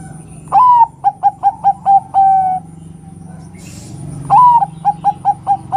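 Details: Bangkok-type female zebra dove calling to get males singing, giving two clear phrases, each a rising opening coo followed by a rapid string of short, evenly spaced notes ending in a longer held coo.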